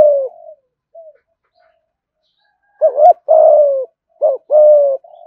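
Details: Captive ornamental spotted dove in thúc gù cooing. A soft trailing coo fades out, followed by a silence of about two seconds. Then come two crisp phrases, each a short double note and then a sustained, low, descending coo.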